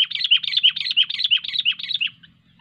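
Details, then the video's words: Sooty-headed bulbul, described as a 'cengkram over fighter' singer and recorded during bird luring for hobby, gives a rapid run of bright chirpy notes, about four each second, for two seconds before fading out, with a faint low rumble beneath. "Burung Kutilang Cengkram over fighter"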